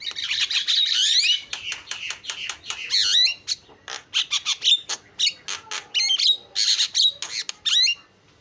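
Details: Fast, energetic Javan myna singing: a continuous stream of grating squawks, sharp clicks and bright upward-bent whistles, delivered in quick uneven bursts with barely a break between phrases.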